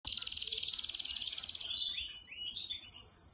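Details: Trained domestic canary singing at home while perched on a person's hand, said to start singing on hearing its keeper's voice; a fast buzzy high trill rolling steadily, then sliding into rising whistled notes.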